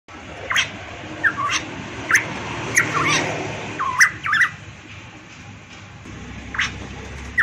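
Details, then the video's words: Variable pitohui from Papua singing actively: short swooping whistled notes, some dipping then rising, spaced irregularly about every half second to a second, with sharp clicks and a low steady hum beneath. "burung pitohui variabel gacor cucak Rowo Papua cucak emas"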